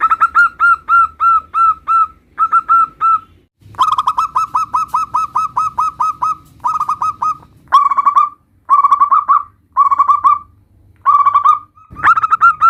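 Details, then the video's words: Compiled song of local zebra doves meant to draw answers from other doves: long, rapid runs of even, hooked notes, then shorter spaced bursts separated by cuts, with low rumbling noise under some passages. "Perkutut lokal gacor suara bermacam - macam Nutut kompilasi ini ampuh untuk Pancingan Cepat NYAUT"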